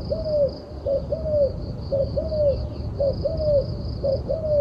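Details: Turtle dove calling steadily, a clipped note then a long slurred descending coo, repeated about once per second for several phrases, with a constant high-pitched hum behind.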